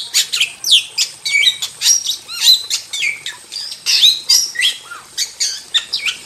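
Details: Energetic song of a wild starling used for bird training: dense, high chatter mixing rasping notes, clicks and looping whistles, run together with almost no pauses.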